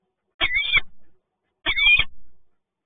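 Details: Peregrine falcon at PGE Toruń, Poland, recorded 2 January 2021 as two falcons meet: two harsh, grating calls, each under a second long, with a short pause between them.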